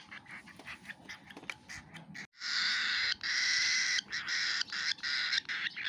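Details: A baby cockatiel begging while being fed gives harsh, raspy, rapid pulsing calls, then a loud sustained buzzy stretch.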